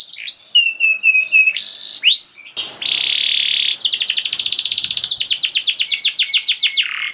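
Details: Canary song played to get reluctant canaries singing: varied whistled notes and sweeps, a sustained buzzy stretch, then a long rapid trill of repeated sharp notes.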